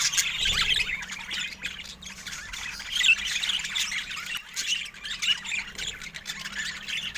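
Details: Budgerigars kept as pets give continuous high, rasping warble with squeaky notes and brief harsh squawks, several birds overlapping, plus a soft low background hum.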